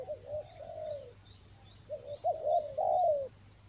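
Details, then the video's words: Lure spotted dove for rainy-season trapping in Toba: a gentle rolling coo series, a pause, then rising emphatic notes closing in a long loud descending coo, with constant insect-like whine. "TEKUKUR PIKAT RAJA ANGGUK"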